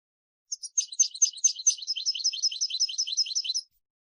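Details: European goldfinch, a kept bird whose song is used to teach chicks, giving a fast twittering burst of high tinkling notes, about three seconds long and slightly quickening, against total silence.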